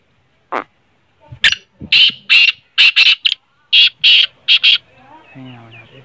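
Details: A black francolin gives a harsh, grating phrase of seven or eight clipped, rhythmic, rasping notes, then a faint low hum; it is offered as a call to play to a francolin that isn't calling, to excite it quickly.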